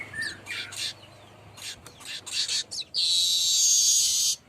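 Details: Baya weaver calling continuously, recorded as a lure sound: a run of short, uneven chattering chips, then a long, loud, buzzy, hissing trill of about one and a half seconds at the end.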